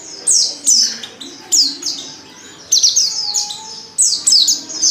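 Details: Oriental white-eye female calling as a lure for singing males; sharp high chirps sliding downward, grouped in short bursts separated by pauses of about a second, faint low hum underneath.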